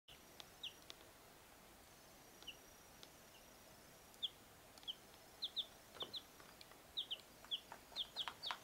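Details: Four-week-old chicks, a mixed group of Easter Egger, light Brahma, blue Silkie and red Leghorn, obtained May 18, give thin, high, downslurred peeps. The peeps are scattered at first and then come faster and closer together toward the end, over a quiet background.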